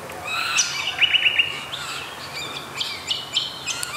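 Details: Apostlebird (Struthidea cinerea), an Australian mud-nest builder, giving sharp chirping calls: a quick run of four short bright notes mid-clip, then scattered harsh chips and clicky notes with brief pauses between.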